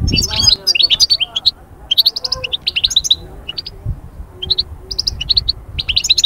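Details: European goldfinch song, played to bring birds out of moult into summer breeding mood: rapid twittering phrases of short high notes and trills in quick bursts, with soft low rumbling behind.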